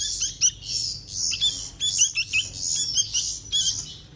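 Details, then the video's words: Several hand-fed baby bulbuls beg with piercing, rasping squeals in short uneven pulses, some sharp clicking chirps between them. "Hand Feeding Baby Birds - Bulbul Birds"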